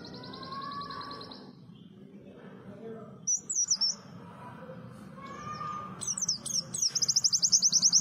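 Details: White-eye (pleci) song: short high trilled phrases separated by pauses, ending in a rapid, sustained run of thin, very high chirping notes, over low background noise.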